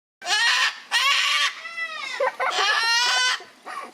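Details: Gang-gang cockatoo kept at Palmitos Park, Gran Canaria, Canary Islands: loud, harsh, creaky rasping calls in bursts of about half a second, with a softer drawn-out grating note between them.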